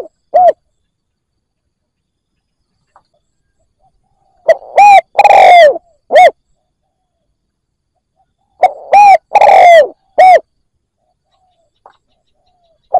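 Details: Decoy spotted dove cooing to draw in wild doves, repeating a mellow three-part phrase about every four seconds: brief note, drawn-out falling coo, brief note, loud and slightly harsh with strong overtones.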